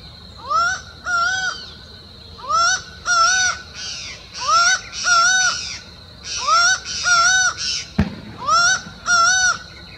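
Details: A laughing falcon on a trail near Uberlândia, Minas Gerais, Brazil, gives loud, nasal two-note calls. The calls come in pairs repeated about every second and a half, over a steady high insect drone.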